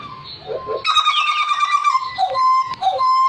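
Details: Hooded butcherbird from Papua singing vigorously: clear whistled notes held near one pitch with ringing overtones, a short rising sweep, then repeated fluting phrases, over a low indoor murmur.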